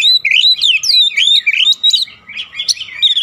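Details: Oriental magpie-robin at home in rapid, continuous song used to stir other birds into answering, packed with sweeping whistled slurs and scratchy, buzzy chatter notes tumbling over each other with almost no pause.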